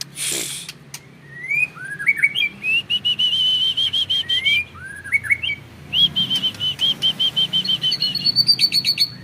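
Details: Caged white-rumped shama of a champion bloodline, singing in the 'tembakan panjang' (long shots) style: clear rising whistled slurs, then long runs of rapid repeated sharp notes, ending in higher quick trills; a brief noise burst opens.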